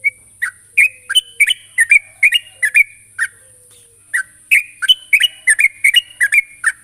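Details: Calling toward a rival, a sooty-headed bulbul gives clusters of short, sharp, chirpy notes with slurred endings, grouped in quick runs and a pause midway; a constant thin high tone and a faint low hum accompany.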